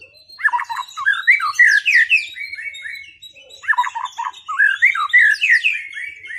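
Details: Two bouts of rich, varied song from a white-rumped shama after moulting, heard in a duel meant to restore its performance; fast tumbling whistles and slurred notes, with a short pause between bouts.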